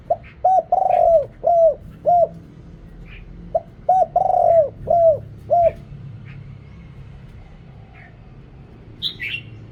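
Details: Spotted dove calling to lure wild birds, noise-reduced recording: two phrases of low, hollow coos, each a short note followed by a rolling run of four to five falling coos, with faint chirps near the end.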